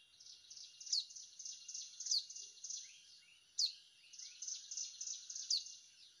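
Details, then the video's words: Hill prinia, whose call lures birds for trapping in Indonesia, sings high chirping phrases broken by sharp falling slurs roughly every one and a half to two seconds. "Mikat prenjak gunung / Cigun"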